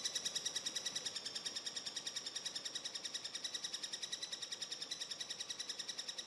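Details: Eurasian three-toed woodpecker nestlings beg during feeding in a steady, high, buzzy chorus, pulsing rapidly several times a second without a break.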